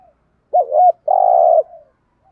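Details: Spotted dove giving one coo phrase to rouse decoy birds: a wavering double-humped note, then a long steady coo fading into a soft tail.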